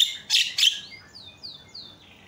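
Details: Javan myna lure recording meant to set silent mynas calling: two harsh, noisy bursts followed by four clear whistled notes that sweep down, about one every half second.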